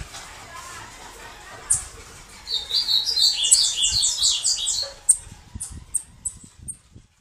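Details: Bananaquit (sibite, cambacica, caga-sebo) giving a 'canto de foguear' song: a jumbled, wheezy burst of thin, high buzzy notes lasting about two seconds, then a few sharp, separate high ticks fading out. Faint background noise.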